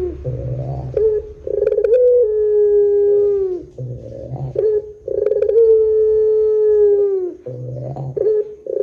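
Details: Long-style coo of a Barbary dove used as a lure for other doves: a rolling 'dorrr' burr leading into an extended steady low coo, heard twice, with quiet rumbling between calls.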